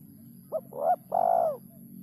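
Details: Spotted dove (terkukur), 'kuk 3' call: a short note, a rising coo and a long burry coo in quick succession, backed by a noticeable low hum.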